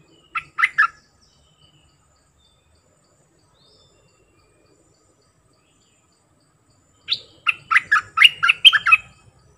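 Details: Wild-bird lure sound of a bulbul: a short pair of gurgled notes, a pause of several seconds, then a longer fast string of bubbling, warbled notes.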